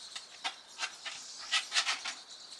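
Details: Pine siskins on Hammond Bay Road, Nanaimo, British Columbia: short, scratchy, high twittering notes scattered at uneven intervals over a steady hissing background.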